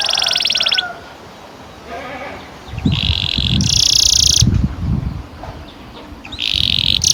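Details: Canary rolling song, ngerol panjang, for training young canaries: bursts of high rapid trills come and go, with low thumping and rumbling noise in between.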